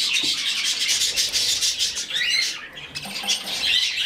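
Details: Young budgerigar chick being hand-fed; harsh, raspy, nonstop chittering in rapid pulses, rising and falling in intensity, with a brief pause midway.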